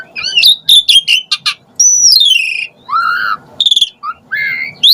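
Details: Asian pied starling lure sound: wavering whistles, quick high chips, a long clear whistle sliding downward, a lower warbled note and a final rising whistle, over a faint hum.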